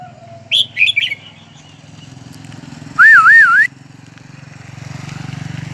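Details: Song of a crested bird in a H'Mong village in the highlands: a few sharp chirps, then one loud rippling whistled phrase of several quick up-and-down waves over a low engine-like hum.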